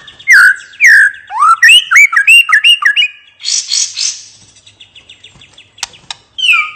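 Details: White-rumped shama in relaxed ngeplong singing: looping whistled notes repeated in a quick even series, followed by a harsh buzzy chatter, then quieter ticks and a final whistle.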